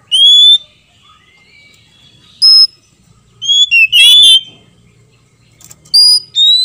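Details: Oriental magpie-robins, female and male, answering one another. Scattered sweet whistles, including a burst of varied, tumbling notes in the middle, separated by quiet gaps.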